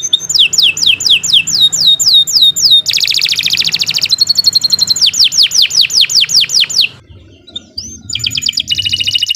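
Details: Canary in long gacor song for training other birds: repeated descending whistled sweeps, a dense buzzy roll, steady chipping trills, a brief quiet gap with a soft slurred note, then more buzzing trill.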